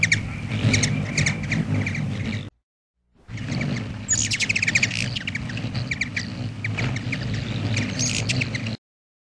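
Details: At a feeder, a Black-chinned hummingbird utters fast, scratchy chip notes about four per second, with squeaky twittering bursts, over low rumbling noise and two short silences.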